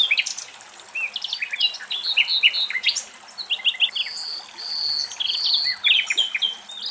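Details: Common nightingales singing in Greek nature: rich, varied phrases of high whistles, rapid chirps and drawn-out pure notes, overlapping one another with only brief pauses.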